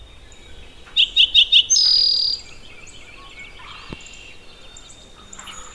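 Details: Eastern Towhee at Maxwell Game Preserve sings four quick, sharp introductory notes, then a longer high buzzy trill, the classic 'drink your tea' pattern, over faint background hiss.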